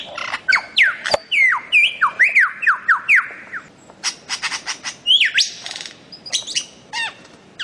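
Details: Bird-of-paradise recording from Papua and the Aru Islands, for cage-bird training: a lively run of rapid downslurred whistles, then harsh squawky bursts and a sharp swooping whistle among mixed chattering.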